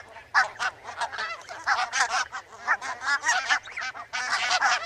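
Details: Many barnacle geese giving continuous yapping honks, short clipped barks following one another almost without pause, forming a steady chattering chorus throughout.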